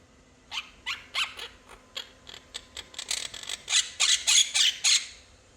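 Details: A family's pet quaker parrot chatters in fast raspy notes that begin soft and sparse, then grow louder and quicker toward the end.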